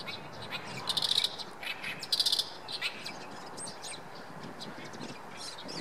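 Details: Oriental reed warbler singing in a Shinkai rice paddy on 7 May 2014: grating, raspy phrases in two loud bursts about a second apart, followed by softer scratchy notes over steady ambient noise.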